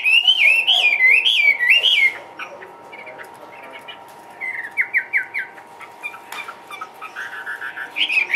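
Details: Caged Chinese hwamei singing: loud rich whistled phrases rising and falling in a looping pattern, then softer varied notes and short repeated whistles, over a steady faint electrical hum.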